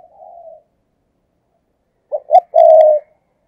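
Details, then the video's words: A faint drawn coo, a pause, then two quick notes and a loud sustained coo from a spotted dove decoy calling 'thúc gù' style to provoke wild doves. "cu gáy, Mồi cây thúc gù chuẩn căng đét"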